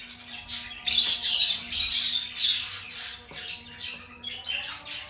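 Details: Lovebird sings a stream of shrill, raspy chirps and squeaks in clustered bursts, with short gaps between, above a faint steady tone.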